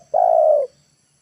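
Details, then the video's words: Single long, even coo from a spotted dove decoy, heard in the afternoon while luring wild birds down to the ground. Brief, with a quiet background. "TEKUKUR PIKAT NEKAN,AGAR BURUNG LIAR TURUN TANAH"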